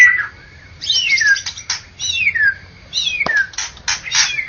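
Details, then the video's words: Competition-champion white-rumped shama from Medan and Java delivering loud swooping whistled phrases that slide downward, broken by short gaps, with sharp buzzy bursts in between and a low background hum. "Murai batu Medan dan Jawa Juara Satu Pemenang Lomba Bird Copsychus malabaricus Suara Burung"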